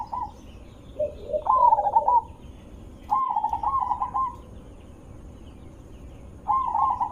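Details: Zebra dove calling as a lure for other zebra doves: a few low notes, then staccato trilled phrases of clipped coos repeated at intervals of one to three seconds.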